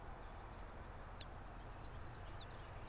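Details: Bald eagle nest 90 feet up a pine in Johnson City, Tennessee, nest camera at dawn, 3 April 2024; two clear, high, thin whistles, each held level then dropping sharply at the end, about 1.3 seconds apart, with little else heard.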